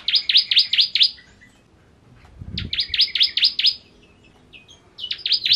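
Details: Bar-winged prinia, known as ciblek kristal, giving ngentrok song: rapid bursts of piercing, downswept high chips in rhythmic series, broken by quiet gaps, with a brief low thump midway.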